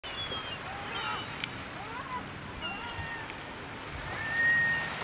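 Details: Heuglin's gulls (taimyrensis), including an adult, at Choshi, Chiba, Japan on 10 March 2019, give faint, drawn-out mewing calls, some rising, several birds calling over a low hum of wind and water.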